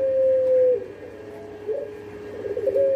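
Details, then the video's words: Barbary dove (puter pelung) gives a long, steady mellow coo dropping into a lower rolling phrase before a brief rise, with slight room echo; long call used to prompt other doves to coo. "Suara Puter Pelung Bikin Burung Puter Lain Ikut Manggung Gacor"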